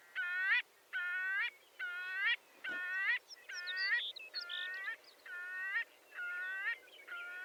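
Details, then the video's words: Marbled godwit uttering longer, flat, nasal honks in a regular series, with a brief thump and some thin high chirps from other birds midway through. "Marbled Godwit Sound"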